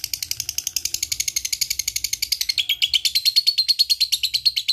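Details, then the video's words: Lovebird chattering ngekek: quick harsh chirps in a steady series, pitch dropping a little after three seconds into a sharper, clearer run, used to spur lovebirds that rarely sing. "LB ngetik ngekek GAcooor bagus untuk pancing lb malas bunyi"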